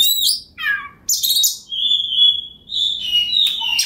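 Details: Kacer (Oriental magpie-robin) singing as a rival-provoking lure: short falling chirps and a buzzy burst, then one long steady whistle held for about a second, followed by rasping notes.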